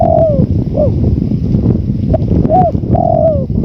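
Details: Spotted dove, in a calling and relaxation track mixed with wind. Mellow coos, including two long falling ones and shorter hooked notes, sound through heavy, continuous wind roar.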